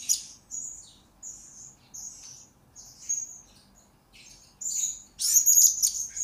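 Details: Blue-crowned hanging parrot, lure and master recording for training birds: a series of short, very high thin whistled notes spaced about every second, ending in a loud buzzy burst of chirps.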